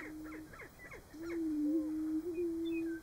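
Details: March lek of Greater prairie-chickens in Nebraska; a few quick clucks give way to one long, smooth, low booming tone that holds steady for nearly two seconds.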